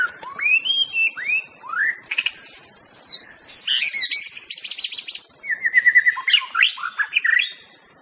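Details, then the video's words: Aceh white-rumped shama used as song master: loud, varied song opening with upslurred whistles, then rapid clicking trills and chattering notes, a short level whistled series and further quick slurred phrases. "Beautiful Bird Song in the World Murai Batu"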